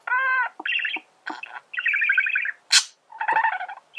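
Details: Male budgerigar warbling: a clear harmonic whistled note opens, then buzzy chattering runs, clicks and one sharp rasping squeak, all in quick uneven bursts.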